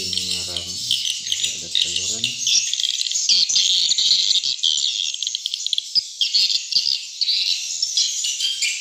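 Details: Swiftlets in a small one-floor swiftlet house where the nests hold eggs and young: a man speaks briefly at the start, then a steady mass of shrill, overlapping chirps and twitters fills the rest.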